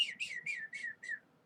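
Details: Canyon wren (Catherpes mexicanus), more often heard than seen in canyons of Colorado's Western Slope through summer, gives five clear whistled notes, each sliding downward, in a quick run dropping slightly in pitch over about a second.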